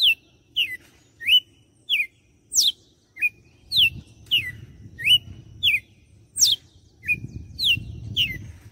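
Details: Sustained açoite song of a red-cowled cardinal in Fortaleza, Ceará: repeated strings of crisp whistles, steep falling sweeps mixed with short rising notes, grouped in runs of about six, with some low background noise.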